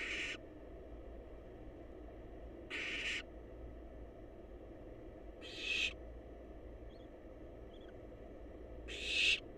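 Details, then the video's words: Wild barn owl chicks in a nest box wait for food, giving harsh breathy hisses about every three seconds, four bursts in all, each roughly half a second long, against a constant background hum. "Barn Owl Babies Snuggle Up And Wait For Their Next Meal!"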